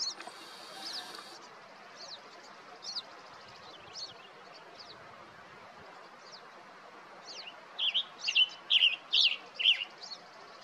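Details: Male Western tanager calling for his mate: faint thin high notes at first, then louder clustered burry chirps near the end, over steady background noise.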